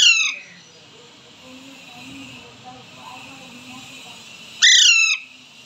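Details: A two-month-old pet Alexandrine (Indian longneck) parakeet, said to be talking, gives two loud, harsh, downslurred screeches about four seconds apart, with quiet room murmur between them.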